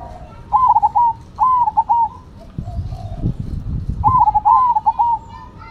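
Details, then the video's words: A Cemani and a Silver zebra dove in a song duel. Two bubbling, stuttered coo phrases come in quick succession, then a low rumbling knock, then two more rolling phrases. "Perkutut Cemani Gacor Vs Silver Gacor"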